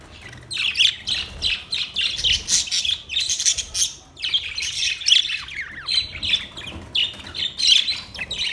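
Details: White and green parrots in a colony give harsh, screechy squawks in bursts, several birds overlapping, with short pauses between volleys.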